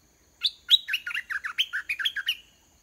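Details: Red-whiskered bulbul kept as a caged decoy sings repeatedly until a wild bird descends to fight: a lively, jerky string of about a dozen warbled notes bouncing up and down, sung in near silence.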